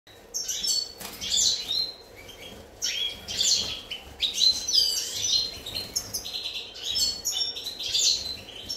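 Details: European goldfinch recorded on 4 February 2018: a bright, rapid twittering of high tinkling notes and short buzzy trills in bursts over about nine seconds, with a faint hiss in the background.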